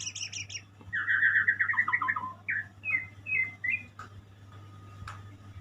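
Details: White-rumped shama singing high repeated notes, then a fast chattering trill and a string of short whistled phrases, ending quieter with a couple of clicks over a low hum.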